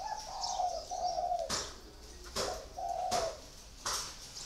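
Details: Caged spotted dove, four years in its cage, giving low drawn-out coos between sharp knocking clicks, with faint high chirps of other birds.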